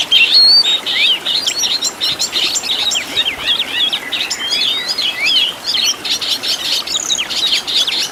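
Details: Caged-bird training song of an Oriental magpie-robin with rich fill-in phrases: dense, rapid sequence of high chirps and short slurred notes, busy and continuous, loud throughout.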